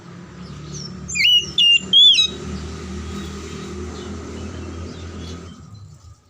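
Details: Oriental magpie-robin song meant to stimulate lazy or silent magpie-robins: one rapid burst of three clear, rising whistles, followed by several seconds of rumbling, traffic-like background noise.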